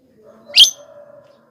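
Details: Loud Javan myna call meant to attract wild mynas: one short, rasping, rising squawk over a faint steady low hum.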